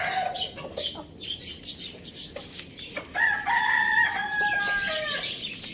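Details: Crowing of a pet rooster housed with hens, chicks and budgies: a strong, sustained harmonic crow with a falling close, preceded by chattering budgies and short clucks.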